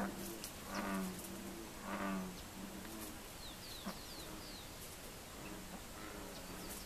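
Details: Neotropic cormorants visiting a fish pond, where they hunt fish, give low, drawn-out, grunting croaks, several in a row about a second apart, with faint high chirps of small birds behind.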